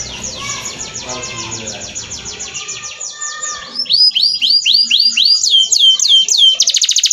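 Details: Canary song used for training other birds: a faint rapid trill at first, then loud repeated downward-sweeping whistled notes about four times a second, ending in a fast buzzy high roll.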